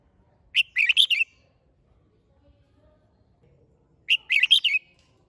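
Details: Two crisp phrases from a red-whiskered bulbul singing in hót đấu competition style, each a rapid run of sharp, warbling notes, three and a half seconds apart over near silence.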